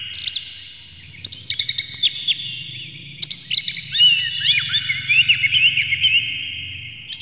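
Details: Oriental magpie-robin song, harsh and clear, used to provoke other magpie-robins: bright whistled notes and sharp staccato chirps, then a rich run of slurred, varied twittering phrases, over a low steady background rumble.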